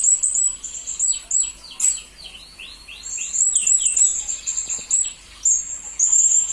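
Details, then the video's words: Blue-crowned hanging parrot used as a master recording to train magpie-robins and green leafbirds: very high, thin chirps and trills in bursts, with a run of quick down-slurred whistled notes lower in pitch during the middle seconds. "Serindit Masteran Berkualitas Untuk Burung murai dan kacer ijo"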